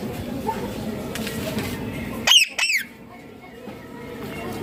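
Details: Indian ringneck parakeet giving one loud harsh two-note screech, each note rising then dropping, after a stretch of low indoor background murmur.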